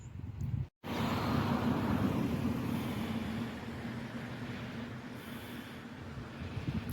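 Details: Steady low rumble of passing road traffic with a brief cut of silence near the start; no animal calls can be picked out.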